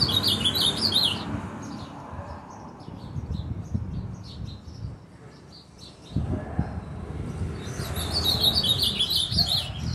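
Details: Ultramarine grosbeak in frenzied song, two loud bursts of fast, sharp warbled phrases at the start and end, separated by quieter chirps over a background of low rumbling noise.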